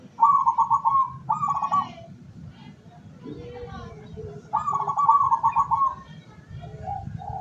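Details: Zebra dove of local stock kept as a decoy bird for luring wild doves, 17 August 2023: long quavering trilled coos opening and closing the recording, with fainter lower murmurs and possible voices in between over low rumble.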